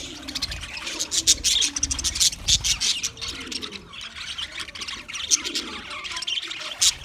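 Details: English budgies recorded February 14, 2024, producing lively pulsed chirping with sharp high squeaks rising from a constant twittering background.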